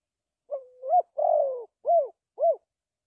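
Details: Spotted dove, associated with lure trapping, delivering one cooing phrase: a drawn opening coo rising at its end, a long burry descending note, then two brief arched coos. The background is quiet.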